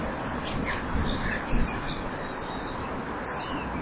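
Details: Common kingfisher pair, male and female, filmed by a breeding-wall camera on 18 April 2013 at 17:39, calling to each other just before mating. Sharp, thin, high whistles repeat about six times in four seconds over faint steady hiss.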